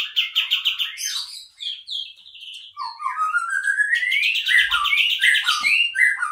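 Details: Kapas tembak bulbul song used as a lure: quick chattering notes give way to varied rising and falling whistled phrases, delivered in a fast, jumbled sequence.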